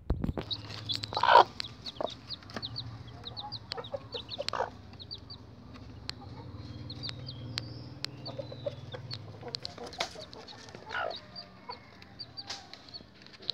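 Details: Bangkok chicken chicks peep in high, thin, repeated notes while being separated from their mother hen, with a few lower clucks from an adult bird.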